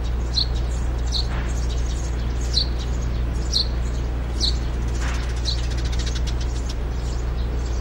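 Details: A pair of Eurasian tree sparrows building a nest in a hut-style birdhouse outside a window, carrying straw, give short, bright chirps about once a second, sometimes doubled, over a steady low rumble of traffic or machinery.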